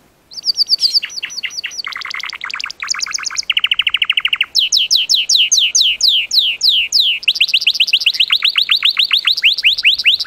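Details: Gloster canary song in quick tours: bright chirps, then a low buzzy rolling trill, followed by fast runs of descending whistled sweeps and a final rapid rising series.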